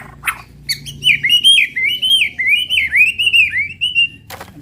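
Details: White-rumped shama giving 'tembakan' song to provoke other birds: a near-continuous warbling run of high, slurred whistles, with a steady low hum underneath.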